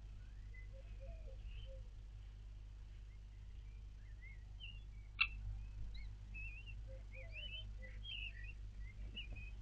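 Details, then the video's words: Common kestrel nestlings, four hatched, calling while being fed by the female, recorded 4 May 2022: many faint, quick squeaky chirps and twittering notes, one loud knock midway, over a low constant hum. "4 Babys geschlüpft & Mama füttert - Turmfalken"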